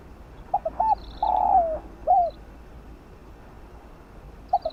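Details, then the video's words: Field-style spotted dove cooing meant to stimulate decoys: short double notes, a long level coo dipping at its tail, and a separate curved last note, followed by quiet and the start of another phrase; thin high chirps overhead. "tiếng chim cu đất gáy gọi giọng đồng kích bổi tập mồi hiệu quả"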